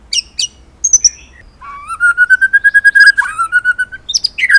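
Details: Singing murai batu (white-rumped shama) from Indonesia: scattered sharp high chips, then a long steady whistle with rapid pulsing, dropping slightly and ending in slurred notes and chips.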